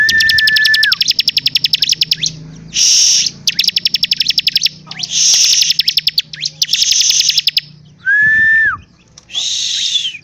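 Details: Energetic bar-winged prinia song. A flat whistled note opens and later returns, set among long runs of fast, sharp ticks and harsh buzzy bursts repeated several times in about ten seconds.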